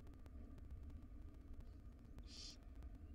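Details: Female barn owl feeding her chicks in a wild nest box: a single brief, breathy hiss near the end after a quiet stretch of low electrical hum.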